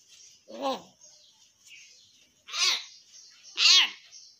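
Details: Hill myna kept as a talking bird, copying human speech, said to urge prayer; three separate loud voiced syllables about a second apart, each with a bright harsh top, over a faint background hiss.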